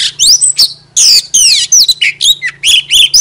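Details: Oriental magpie-robin song of loud downward-slurred whistles and buzzy notes, delivered in quick phrases over a steady low hum.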